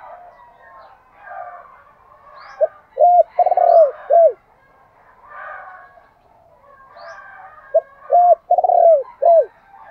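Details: Spotted dove cooing as a decoy to lure wild doves: two phrases, each a short note, a long tremulous rolling coo and a clipped final note, with fainter cooing from other doves behind.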